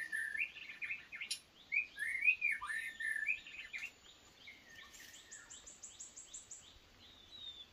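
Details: White-rumped shama kept as a decoy bird for trapping, its luring described as weak: varied whistled phrases that rise and fall in short bursts, then a run of rapid, thin, high notes repeated about twice a second.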